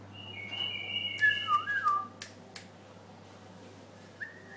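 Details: White-eared bulbul singing clear whistled phrases, first a level high note, then slurred falling notes, then a short rising whistle after a pause, with a few sharp clicks and a steady low hum.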